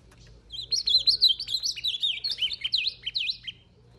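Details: An ultramarine grosbeak (Cyanoloxia brissonii), recorded 22 April 2020, sings a three-second phrase of rich, rapid warbled notes slurring up and down over a low steady hum. It is singing slowly because it is in a fighting mood.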